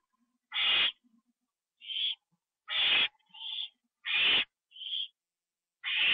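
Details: Owl at night in September 2011, fed a treat and eating it inside; rasping hissy screeches alternate with shorter, clearer high squeaky notes, roughly one sound every half second to second.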